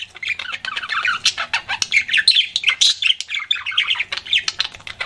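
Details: Pet budgerigar flirting indoors: dense, rapid chattering warble of scratchy chirps and squawky notes between 1 and 5k, with brief clicks and a faint low hum behind.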